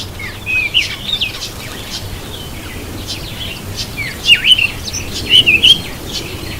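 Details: Cape robin-chat taking a bath, giving short, high whistled chirps with quick twists in pitch, in three brief bursts over several seconds, with a soft low rumble underneath.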